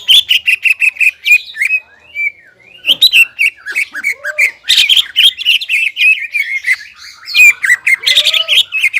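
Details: Greater green leafbird, crested, singing energetically to provoke stressed, silent leafbirds; rapid high chattering notes and down-slurred whistles in long busy phrases, with a lower rising whistle twice.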